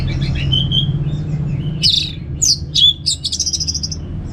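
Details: Orange-headed thrush from Singaraja, North Bali, singing in relaxed ngeplong style as a lure for kept birds: a thin steady whistle, then quick high chirps and a fast closing trill over a low steady hum.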